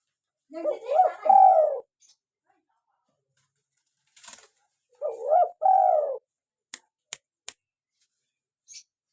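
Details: Local spotted dove calling actively, used to lure wild doves and prompt captive ones to call. It gives two soft, low coo phrases, each a wavering lead-in and a held note, followed by a few sharp clicks.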